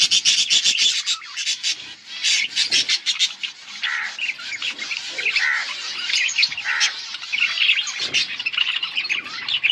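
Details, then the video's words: Pet budgerigars recorded on August 19, 2024, chirping and singing in a dense, continuous chatter of high, scratchy warbles and quick chirps, with short pauses and a few louder clicks. "Budgies chirping and singing"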